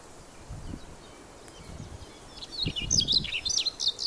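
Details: Male Siberian rubythroat song on Teuri Island, Japan, 28 April 2019: a fast, varied burst of high, sharp chirps and twittering, over low wind rumble; a male black-faced bunting sings in the recording's second half.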